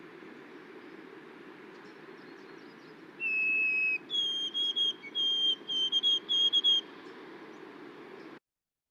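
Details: White-throated sparrow song played back while teaching birding by ear with a Newfoundland focus: a long, clear, sweet whistled note, then a slightly higher note followed by a run of repeated triplet whistles; steady low background hiss.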